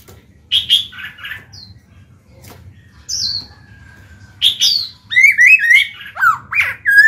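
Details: Caged black-throated laughingthrush singing to rouse newly caught birds into song: a pause-filled start with a long faint steady whistle, then a fast run of loud slurred rising and falling whistled notes at the end.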